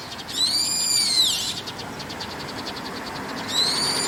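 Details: A brown-eared bulbul (Hypsipetes amaurotis) calling in the evening from a rooftop gives a loud, shrill squeal that holds high then slurs downward, a second call starting about two seconds later, over faint hiss.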